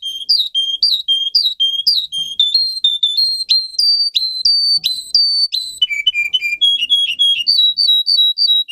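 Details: Canary song meant for teaching young canaries to sing: clear, high whistled notes repeated in quick series, each phrase holding a steady pitch before the bird shifts to a new tone, about three to four notes a second.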